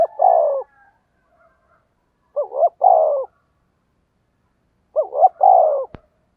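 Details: Luring coo of a spotted dove used to draw in wild birds. Three mellow phrases sound roughly every two and a half seconds, each made of two clipped rising notes and a longer falling coo. There is a sharp click at the end.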